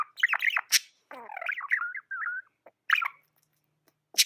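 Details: Lively budgerigar chirps and fast warbling trills, followed by a steady whistled note and a final sharp tick.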